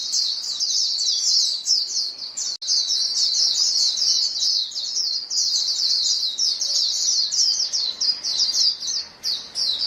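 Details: White-eyes in a flock trade rapid, high, thin calls almost without pause, the twittering thinning slightly toward the end, with one sharp click near two and a half seconds.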